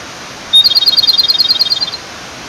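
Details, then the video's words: Male Japanese robin singing beside a clear mountain stream to call a female. The song opens with a sharp note, then runs into a fast, even, high trill of about fifteen ringing notes over steady stream noise. "清流の妖精 コマドリのさえずり"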